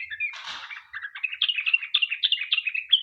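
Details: Sooty-headed bulbul in fast, long 'ropel' song used as a lure to get other bulbuls singing: a short harsh burst, then a quick run of bright chirping notes hopping between lower and higher pitches, fairly steady throughout.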